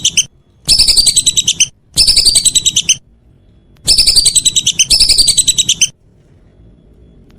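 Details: Whistling duck in the evening giving four bursts of fast, shrill whistled notes, grouped in pairs and separated by quiet gaps.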